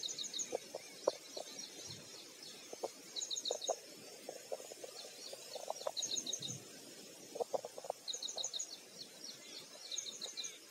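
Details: Red-wattled lapwing in Maharashtra, India, giving bursts of short, sharp, high-pitched notes in quick clusters roughly every two to three seconds, over scattered low knocks and clicks and a steady background hiss.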